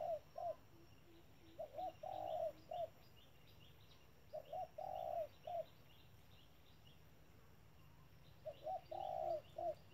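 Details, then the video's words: Spotted dove kept as a trap decoy, uttering brief clusters of hollow coos separated by pauses of about two seconds, each cluster with a longer, louder middle note, and soft low pulses between. "bẫy chim cu gáy. bổi thúc lợi cốt k dám chung cây"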